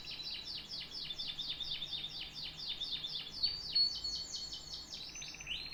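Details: Canary producing a fast regular series of downward-sweeping notes, ending with a brief sliding whistle and a buzzy lower roll.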